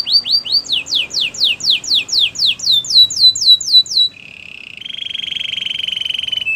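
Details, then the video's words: Canary singing a training song: fast series of loud, clear, downward-sweeping whistled notes, about three per second, shifting pitch midway, then breaking into a long, even, buzzy trill. "Canary training champion song!! Canary's most powerful song for training"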